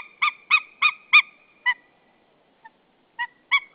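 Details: Wild white-tailed eagles at a nest in Saunja, Estonia, 24 February 2013 around midday; male calls as the female arrives. A rapid run of five yelping, harmonic notes, a pause, then three more similar yelps.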